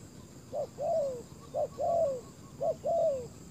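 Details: Spotted dove used as a ground decoy to lure wild doves. It gives three paired coos, each a short note followed by a longer, falling, hoarse note, about once a second. Faint background hiss.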